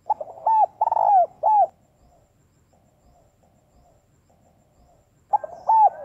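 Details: Spotted dove hen cooing to rouse males: a rapid phrase of short then longer hollow coos, a long stretch of near silence with faint murmurs, then the phrase begins again.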